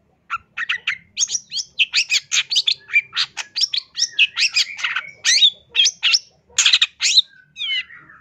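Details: Long-tailed shrike song, a master recording for training or luring birds, singing constantly with a full repertoire: a rapid, dense run of varied sharp chirps, buzzy notes and high whistled slurs, ending in a few descending whistles.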